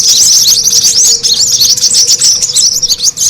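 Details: Noisy brown-throated sunbird lure sound meant to attract birds, with a continuous stream of thin, quick, high chirps and twitters crowding over one another throughout.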